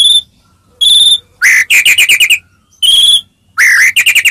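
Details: White-rumped shama song meant to make other shamas answer: clear steady whistles near the top alternate with rising notes and quick buzzy trills, phrases separated by short silences.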